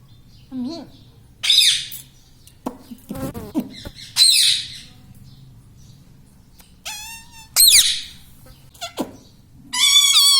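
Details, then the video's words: Pet parrot indoors; scattered harsh squawks and clicks, a shrill rasping burst, then a few clear harmonic whistled syllables near the end. "bolne vala parrot || parrot talking everything"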